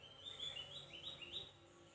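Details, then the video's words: Javan white-eye, locally called opior jawa or cucak gentong, giving thin chirping notes: a quick run of short, high, slightly rising chirps, faint against quiet background hiss. "Cuitan Tipis Opior Jawa//Cucak gentong Bukpar"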